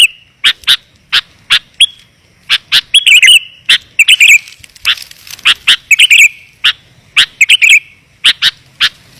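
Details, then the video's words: Clear, dense sooty-headed bulbul lure call meant to attract wild bulbuls. Isolated sharp chirps are spaced about half a second apart, with occasional brief chattering clusters of higher notes. "Suara Pikat Burung Kutilang Rapat dan Jernih"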